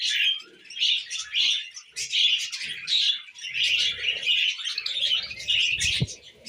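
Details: Tame budgerigars eating millet produce pulsing bursts of buzzy, warbling chatter, roughly one burst every second or so, with a short knock near the end.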